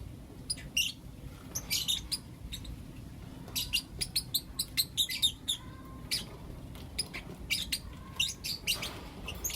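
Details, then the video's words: Blue opaline and lutino opaline lovebirds chirping in the morning; many quick, thin, high chirps repeated steadily throughout, with occasional soft whistled notes beneath. "Lovebird Chirping Sounds and Call Sounds From Blue Opaline & Lutino Opaline"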